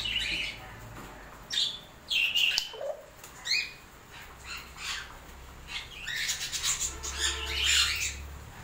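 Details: A pet African grey parrot being fed okra, and throwing it away, gives short, harsh squawks and bright chirps with a quick falling whistle in between. A person's voice murmurs in the background.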